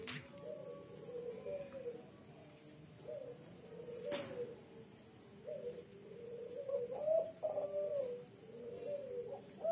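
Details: Female spotted dove of the red, black-collared colour form, with a three-note 'kuk' coo, calling vigorously at night: low, hollow coo phrases repeated steadily, each rising then falling, with a faint steady background hum.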